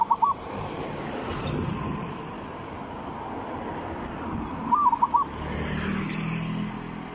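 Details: Zebra dove song in the three-rhythm style, used as a lure for decoy trapping: a clipped cooing phrase at the start, then one full phrase of quick, bubbly coos near five seconds, over a steady low engine-like rumble.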